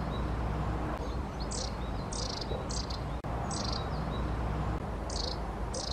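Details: Long-tailed tit uttering a series of short, dry, buzzing rattles in pairs and singles, with faint high thin notes in between, over a steady low-pitched background hum.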